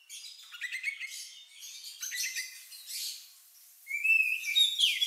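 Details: Oriental magpie-robin with a unique, lovebird-like song used to stimulate other birds: soft rattling chirp series at first, then a louder clear rising whistle and squeaky notes toward the end.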